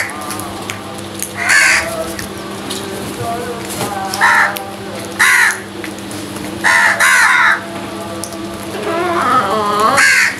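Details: Crows fighting over food, giving harsh nasal caws in short bursts: single and paired calls, some doubled, spaced irregularly over about ten seconds against a steady low hum.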